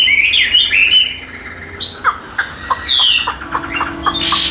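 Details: Tame caged Chinese hwamei singing as its cage is carried by hand; loud, even-voiced whistled phrases that slur up and down, broken by short sharp notes and a brief bright burst at the end.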